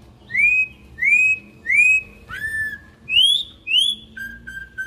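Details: Wild campo troupial (corrupião) singing a pure melody: clear, loud rising whistles repeated roughly every half second, one lower slurred note, two higher whistles, then a soft steady low whistle at the end, over a quiet background.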